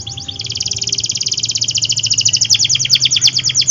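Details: Vigorous AF canary song meant to prompt canaries that seldom sing and young birds: a long, fast, even trill of high chopped notes, repeated a few times per second, over faint background hum.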